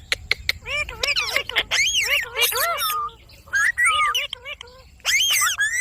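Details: Indian ringneck parakeet, a pet bird, talking in choppy phrases: a few sharp clicks, then bright bending syllables and squawky notes, in separate bursts with short silences between.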